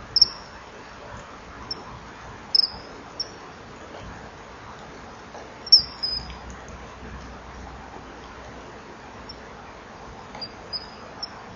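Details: Common kingfishers at a nesting-wall camera, 19:09 on 24 July 2015: a female chases off a begging juvenile before the pair mate. Sparse, thin, high whistled notes at irregular intervals over a steady low background hiss.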